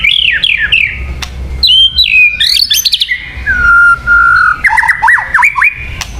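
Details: White-rumped shama, luring song: clear fluting whistles with downward slurs, a long steady whistled note, then quick looping up-and-down phrases and a final rising whistle.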